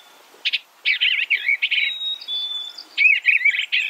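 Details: A short run of Eastern bluebird warbles, soft and slurred, in two close groups. A thin, level high whistle from another bird is held in the gap between them.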